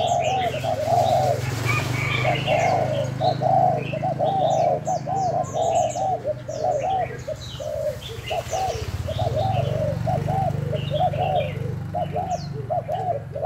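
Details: Decoy spotted dove test-cooing: long run of rapid, mid-pitched rounded notes, with scattered high chirps from other birds and a steady low rumble in the background.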